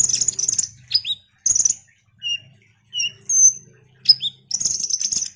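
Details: Ruby-cheeked sunbird (konin) in full song, played as a lure to excite other birds into singing: bursts of high, dense chattering alternate with sharp, thin notes that drop steeply in pitch, and brief clear whistles in the pauses.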